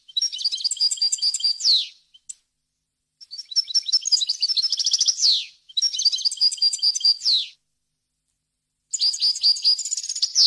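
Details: A European goldfinch sings varied, clean wild-style phrases meant to tutor young birds and hybrids: four long bursts of rapid tinkling, liquid twitters, most ending in a descending buzz, with short silent pauses between.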